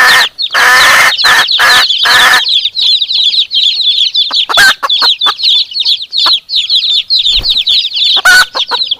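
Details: Hen and chicks answering each other. A few loud, rough clucks open the recording, then a continuous chorus of high, thin chick cheeps carries on, with occasional short knocks.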